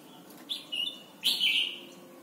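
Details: Red-whiskered bulbul from Thailand, a recording for teaching young birds to sing: a short high whistled note, then a louder, longer, slightly falling whistled phrase over a faint steady background hiss.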